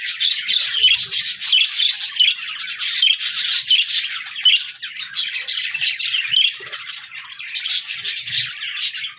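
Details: Several budgerigars singing and chirping together, a steady stream of scratchy warbles and bright squeaks that swells and dips in loudness without pause.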